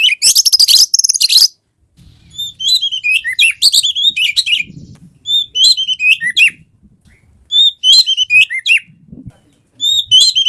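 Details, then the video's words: Oriental magpie-robin (kacer) song meant to stir a silent bird into singing: opens with a harsh rapid rattle, then repeated short phrases of high whistles and twittering separated by pauses of about a second, faint rustling below. "PANCINGAN KACER GACOR MALES BUNYI"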